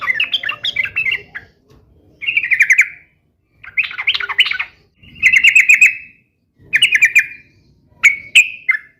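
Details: Sooty-headed bulbul singing hard to prompt caged bulbuls to answer. Chattering warbled phrases alternate with bursts of sharp, repeated note sequences with whistled tails, set apart by clear pauses.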